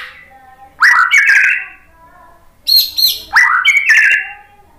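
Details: White-rumped shama phrases intended to spur other birds to sing: two bursts of buzzy, twittering notes with upswept whistles, separated by a quiet pause of about a second.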